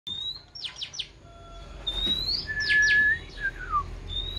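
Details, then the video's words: Oriental magpie-robin raised by hand from a young age, singing clear whistled notes mixed with quick downward-sweeping chips and a long steady whistle, varied phrases over about four seconds against a low background hum. "Chòe than nuôi từ nhỏ"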